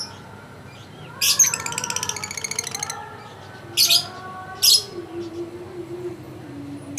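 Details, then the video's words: Prize-winning contest lovebird, champion of a President's Cup event, with a fast buzzing trill followed by two short shrill bursts, amid faint background voices. "Burung lovebird juara1 piala persiden"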